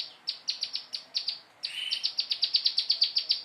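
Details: Prinia rehearsing its rapid song: evenly spaced high chirps, a buzzy rasp, then an accelerating run of about fifteen bright, sharp notes in quick succession.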